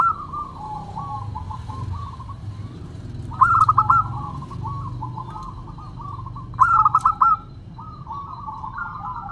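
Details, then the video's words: Local zebra dove delivering its crystal-voiced song: a steady stream of soft rapid cooing trills, broken by two louder rolling bursts a few seconds apart, over faint low hum. "Perkutut Lokal Gacor Suara Kristal"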